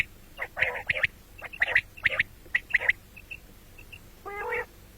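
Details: Common quail calling, a recording for morning and night: sharp high notes in quick pairs and triplets, followed near the end by a single harsher, buzzy banded burst.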